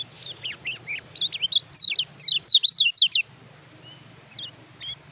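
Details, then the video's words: Oriental white-eye song meant to stimulate non-singing birds: a fast, loud outpouring of high, twisting whistled notes for about three seconds, then a quiet pause with a couple of soft, faint chirps. "BURUNG KECIAL KUNING MACET BUNYI PAKAI MASTERAN INI"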